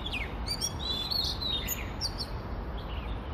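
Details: Oriental magpie-robin singing in Hong Kong, recorded on a phone voice recorder: varied whistled notes, some sliding and some sweeping high, over steady low background noise.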